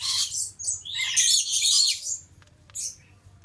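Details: Male Stella's lorikeet, subspecies goliathina, giving harsh high screeching squawks in bursts over about two seconds, then a shorter screech near the end.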